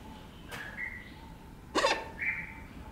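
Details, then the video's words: A hornbill gives two loud, harsh barking calls about a second apart, each trailing into a thin whistled note, over a steady faint hum. "Nashornvogel Hornvogel Ruf Schrei Hornbill Call Crying"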